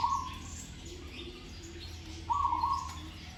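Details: Zebra dove in training, singing with good phrasing: two quick trilled coo phrases, one at the start and one near the end, separated by quiet, with a low hum underneath.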